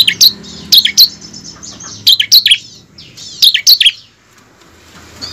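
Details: Bar-winged prinia lure song, used to spur caged prinias into steady singing: high, sharp chirped phrases of two or three quick notes, bursting in clusters about a second apart with faint rustling between.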